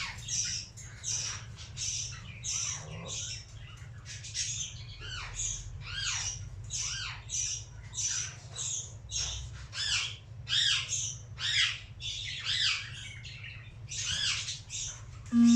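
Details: A tame cockatiel, not free-flown for a long time, gives a steady run of harsh, rising and falling squawks, one after another.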